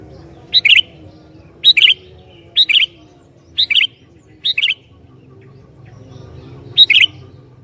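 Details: Lively sooty-headed bulbul song meant to lure and provoke other bulbuls: six bright phrases, each a sharp high note then a tumbling double chirp, roughly once a second with a pause near the end; faint low hum behind.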